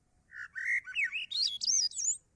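Swainson's Thrush song: a quick run of fluty, reedy phrases, each pitched higher than the last, spiraling upward over two seconds. A faint low hum sits underneath.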